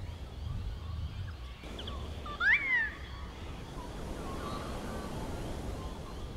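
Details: An adolescent Wedge-tailed eagle at Plenty Gorge, Melbourne, at sunset on a hot day with a light breeze, gives a single thin, high half-second whistle that rises sharply then slurs down, over a steady low wind rumble.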